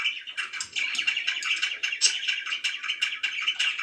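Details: Budgerigars at home twitter busily, a brief burst of quick overlapping chirps and grating warbles, rising and falling in loudness.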